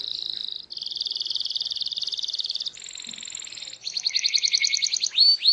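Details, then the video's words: Canary singing to set other canaries singing: a chain of rapid rolling trills, each held about a second, shifting from a steady high roll to a thinner, higher tour, then a pulsed two-tone trill ending in quick upslurred notes. "Apapun Burung Kenari nya, BAKAL RESPON IKUT BUNYI dengar Suara Kenari GACOR INI"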